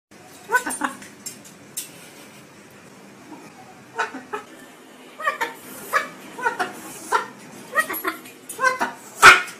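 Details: Parrot talking, said to be saying "WTF": a string of short, harsh, voice-like bursts with stacked harmonics, about a dozen spread irregularly over ten seconds, ending in one loud, sharp shriek.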